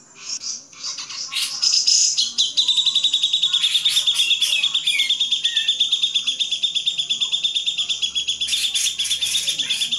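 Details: Grey-cheeked bulbul master recording for training songbirds: a few loose chirps, then a long steady chatter of buzzy, high, rapidly pulsed notes continuing for about eight seconds.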